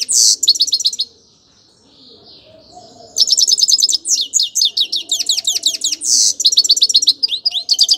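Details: High, fast twittering song of a grey-crowned goldfinch with buzzy notes and trilled bursts. A short lull is followed by a long, energetic stream of chirps and downslurred whistles.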